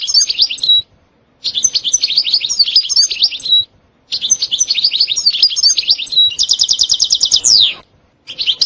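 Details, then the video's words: European goldfinch in continuous song: bursts of rapid twittering phrases separated by short silences, one burst ending in a fast uniform trill with a falling sweep, then singing resumes. "تغريد حسون روعة ستستة وبتبتة خرافية محفزة جدا goldfinch jilguero chardonneret"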